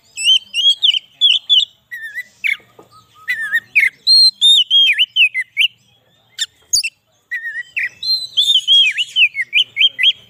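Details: Oriental magpie-robin song used as a lure for trapping wild birds and to excite captive ones: loud, varied clear whistled phrases, slurred and warbling, in rapid bursts with brief pauses throughout.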